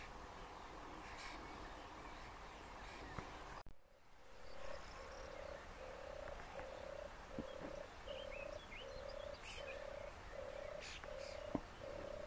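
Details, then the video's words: Endangered European turtle dove, wild in Lower Silesia, Poland, 14 birds and 5 nests across 4 square km; after a brief handling bump, a long even run of low rolling purrs repeats about every 0.7 seconds over faint birdsong. "Turkawka Zwyczajna"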